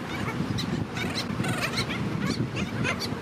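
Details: Black skimmers in their beach colony at St. Pete Beach, St. Petersburg, Florida, where chicks are present, give a busy run of short, yapping, dog-like overlapping calls over a steady low rumble of wind and surf.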